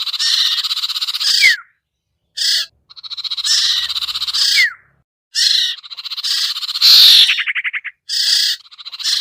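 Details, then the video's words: Luring sound of the sirtu bird for birds that will not come down: repeated rough buzzing phrases with short breaks, occasional thin sliding notes, and a loud burst that dissolves into a fast rattle. "suara pikat burung sertu sirtu cipoh yang susah turun"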